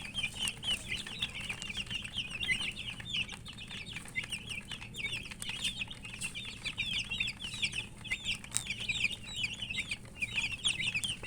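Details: Many chicks chirp while eating, an unbroken flurry of rapid, piercing cheeps in wavering loops, several voices at once, over steady pecking taps and low background hum.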